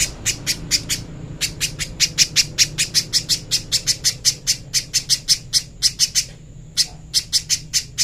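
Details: Song of the little spiderhunter, recorded clean for training: a long run of piercing, high, metallic chips delivered rapidly and evenly, about four per second, with a brief pause near the end before the series resumes.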